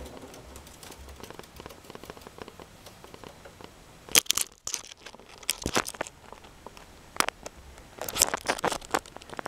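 Indoor crinkling and crumpling noises with scattered crackles and taps, and no animal voice.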